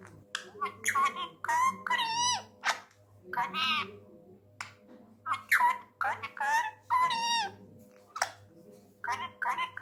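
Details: A tame male Indian ringneck parrot chatters angrily in Urdu/Hindi. Rapid, almost continuous speech-like syllables have wavy, bending pitch and are broken by brief gaps, with faint low hum in the background.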